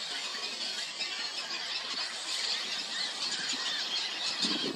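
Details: Juvenile Roseate Spoonbills that have left the nest, begging parents for food one late June morning at a Texas colony shared by hundreds of nesting shorebirds; thin high squeals pour out continuously within a busy, hissing colony chorus.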